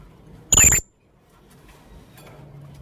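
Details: Young blue-crowned hanging parrot calling for a lure: a single brief, piercing, very high shrill note, then near silence.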